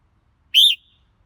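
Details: A single clear, rich whistled note from a red-whiskered bulbul, slightly arched in pitch and fading into a soft trailing tone, with nothing else audible.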